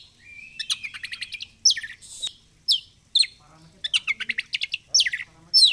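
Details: Oriental magpie-robin song, played as a lure to make another magpie-robin spread its tail: rapid bright trills and sweet rising whistles mixed with harsh chattering notes, in quick bursts with short pauses.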